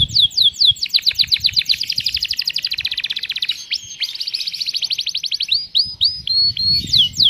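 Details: Canary performing long-duration cengkok mewah song with tembakan pedes bursts: opening downward sweeps, a sustained very fast buzzy trill for several seconds, then crisp falling whistles repeated about twice a second.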